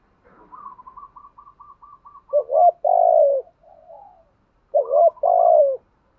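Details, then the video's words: Decoy Spotted dove singing to stimulate wild doves: a run of soft, short, evenly spaced higher notes leads into low hollow coo phrases, each a dipping note and a longer falling coo. "Chim cu gáy có giọng bài bản"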